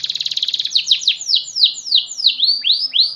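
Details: Canary singing a fast, varied song: a quick buzzy trill of repeated notes, then a series of sweeping down-slurred whistles and rising arched notes, delivered at a rapid pace.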